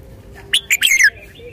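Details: Brief, well-articulated red-whiskered bulbul phrase: two short bright notes leading into a sweet, falling warble lasting about half a second. Low steady hum in the background.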